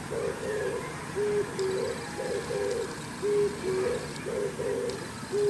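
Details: Morning cooing of an Oriental turtle dove perched on an antenna while preening: deep, husky phrases repeated roughly every two seconds, each mixing rough burred notes with a smooth hollow one, against a constant low rumble and faint clicks.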